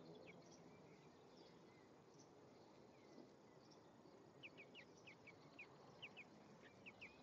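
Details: European greenfinch pair, male and female, at the nest on 1 May 2015. Faint scattered chirps at first, then a clearer run of short high notes in quick pairs during the second half.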